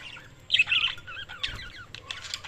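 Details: Budgies chirping with a loud warbled burst followed by wavering, curling chirps and a brief flurry of high notes, in quiet surroundings.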